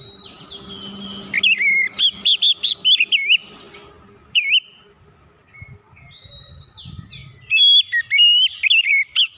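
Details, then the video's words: Oriental magpie-robin song used to trigger reluctant magpie-robins: a hurried run of about eight sharp, bending whistles, a lone note, scattered soft chips, then a final burst of bright rising and falling whistles. "PANCINGAN KACER CEPAT EMOSI 100% KACER MACET MALAS BUNYI CEPAT GACOR"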